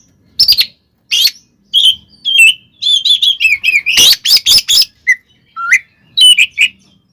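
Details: Oriental magpie-robin's fighting song used as a lure to anger other magpie-robins: long lively sequence of rapid chattering notes, harsh bursts and clear whistles, densest in the middle, ending with upswept phrases.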